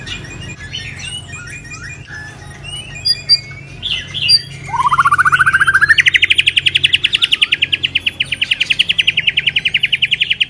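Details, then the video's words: Moulting white-rumped shama: quiet twittering and short whistles, then an extended rapid trill of regular pulses rising and holding level for about six seconds, the song style called pulling Lao tobacco. "Choè lửa đang xuống lông kéo thuốc Lào phê tít"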